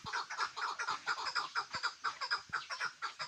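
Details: Chukar partridge described as a hunting bird, giving a fast, evenly spaced run of chuck notes about twice a second, loud and clear with a few soft knocks underneath.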